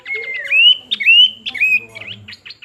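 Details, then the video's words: ['Pin-striped tit-babbler delivering loud, pure whistles that glide upward and hold steady, linked by short chips and ticks in a fast, lively phrase.'] "Burung planduk semak menghibur juga"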